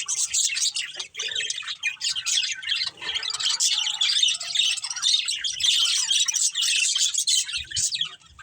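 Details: Long unbroken budgie warbling from a breeding pair, rapid squeaky chirps and chattering notes layered densely, fading slightly at the end.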